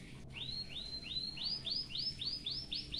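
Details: White-headed munia in canary-style song for tutoring, repeating a single upswept, arching whistle about four times a second in a steady, accelerating row after one sharp click.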